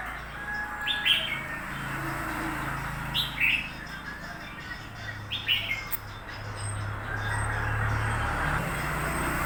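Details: Newly bought red-whiskered bulbul giving three short, bright warbled phrases spaced about two seconds apart, set against a steady low hum and background noise.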